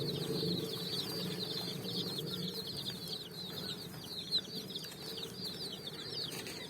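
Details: Many dyed chicks hopping and running on sand as evening sun shines; fast, overlapping high chirps run nonstop, with faint low hum in the background.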